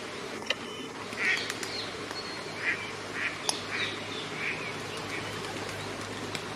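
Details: Eurasian coot from a new family with four chicks at Friedrich Ebertpark, Ludwigshafen, giving short, nasal, bright calls, about five over several seconds, with a few sharp clicks and a low steady hum behind.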